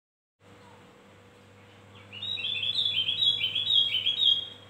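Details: Javan grey-throated white-eye lure song used to attract birds: after a quiet start with a steady low hum, a lively run of high, quick warbled notes bursts in and continues to the end.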